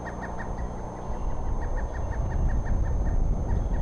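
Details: Eaglet chick recorded 2 April 2014, giving a fast run of short, thin, high cheeps, roughly six per second throughout, over a steady low rumble and a faint constant high-pitched hum.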